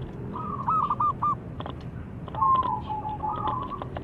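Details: Local zebra dove with a big voice, singing often, kept to draw other doves into song: two phrases of soft, clipped cooing notes, each run of four or five short coos broken by brief gaps, over low background hum.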